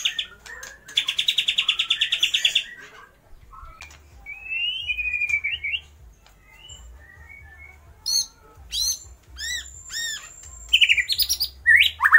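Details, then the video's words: White-rumped shama (murai batu) mimicking lovebird, kapas tembak and pijantung gunung: a loud buzzy rattle of about fifteen fast pulses, scattered clicks and short whistles, then repeated arching downslurred notes and a long high steady whistle. "MURAI BATU GACOR || TEMBAKAN Love bird,kapas tembak dan pijantung gunung"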